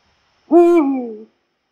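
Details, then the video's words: One drawn-out hoot from a Eurasian eagle-owl in Poland: a rich, buzzy tone holding level, then dropping in pitch as it fades, with nothing else audible. "Odgłosy puchacza - głos sowy"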